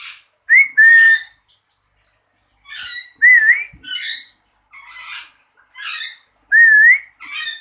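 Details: Pet lory answering its owner by imitating whistling, tested from a distance: clear wavering whistles, each about a second long, repeated several times and alternating with harsher, buzzy squawk-like notes.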